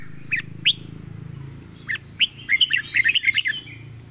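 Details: Red-whiskered bulbul delivering a fast, rapid-fire song: a few sharp whistled notes, then a dense rattling run of quick bubbly chirps, over a steady low hum.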